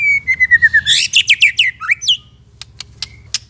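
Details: White-rumped shama song as masteran for young and stalled shamas: a long falling whistle leads into a fast series of loud, sharp chirped notes, then a few scattered clicks.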